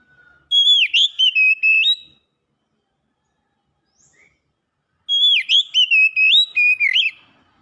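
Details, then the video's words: Oriental magpie-robin that has won song contests, giving two bursts of loud, varied whistled phrases, each with swooping and sliding notes, separated by about three seconds of silence. "Burung Kacer Juara Kontes"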